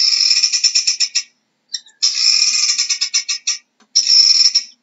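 A guineafowl gives harsh, rapid chattering calls in bursts of about a second, separated by brief pauses.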